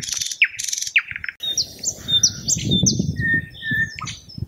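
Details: Thrush nightingale singing short bursts of scratchy notes, then a sequence of clear high whistles and sliding tones over a steady low rumble of background noise.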